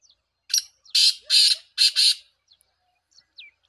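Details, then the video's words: Black francolin giving its rasping call: one short harsh note followed by two pairs of long, buzzy, grating bursts, with faint chirps afterward. "titar sultan voice"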